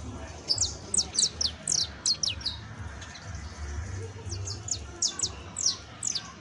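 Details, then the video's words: Exemplary saffron finch singing: clear, high, sharply descending chip notes grouped in quick pairs and triplets, pausing briefly between phrases, with low rumbling background noise. "12 MINUTOS DE AUDIO DE CANTO DE CANARIO CRIOLLO EJEMPLAR [SICALIS FLAVEOLA]"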